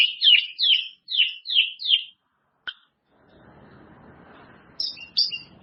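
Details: White-rumped shama training song for caged birds: about six rapid, high, slurred whistled phrases in quick succession, a single sharp note, then soft background rustle with two final high chirps.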